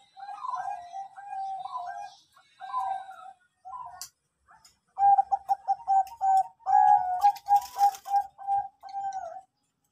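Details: Bangkok-type zebra dove song meant as a lure to prompt singing. Rolling coos, a short pause, then a loud series of clipped coo notes and longer held tones, with faint ticking in the background.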